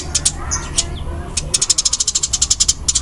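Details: Fighting-type Eurasian tree sparrow calling fast, dense and loud: a few separate sharp high chirps, then a quick run of rapid evenly spaced chirps in the second half, over a steady low hum.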